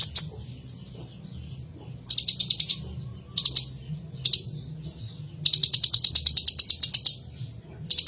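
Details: High-pitched song of a kolibri ninja, or purple-throated sunbird: short bursts of rapid ticking trills alternate with thin whistles, ending in a longer, fast, evenly spaced trill against a faint low hum.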